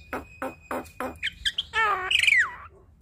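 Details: Javan myna song with mimicry, used as master and prompt for starlings: four evenly spaced rough, nasal notes, a few short whistles, then a harsh harmonic squawk leading into a bright, falling whistled glide.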